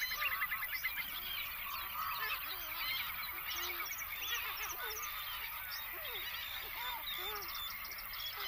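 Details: Great black-backed gulls at Rutland Water Nature Reserve, 28 August 2023, in a noisy chorus: many overlapping hoarse squawks and honking yelps, some deep and short, others higher and drawn-out, without pause.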